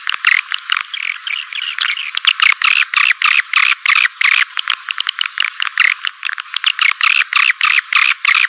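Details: Swiftlet calling sound used to attract swiftlets: dense, rapid high chirps and twittering clicks, about three pulses per second, pouring on without pause in a bright, buzzy stream with no low sounds.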